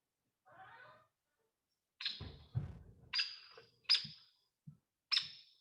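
Hairy Woodpecker giving four sharp, high, ringing peek notes about a second apart, fuller and louder than a Downy's; a speaking voice and a thump come first.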